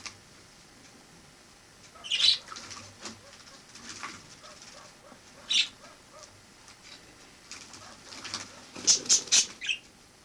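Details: Wild sparrow kept in a house after arriving through a balcony in autumn 2006; scattered sharp chirps with soft rustles between them, ending in a quick run of three or four high notes.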